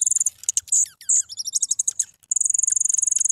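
Gray-headed junco giving very high, thin twittering notes and quick downslurred chips, ending in a rapid, even, high-pitched trill.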